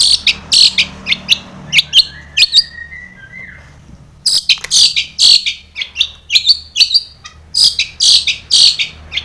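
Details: Long-tailed shrike song used as a lure to make caged shrikes sing, full of mimicked phrases: bursts of harsh, scratchy high notes, a brief falling whistled glide, then a fast run of sharp chattering notes.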